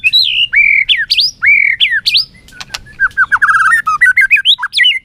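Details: White-rumped shama singing in competition, flicking its tail: repeated loud whistled phrases dipping then rising, a brief rattling burst, then a fast series of varied slurred whistles.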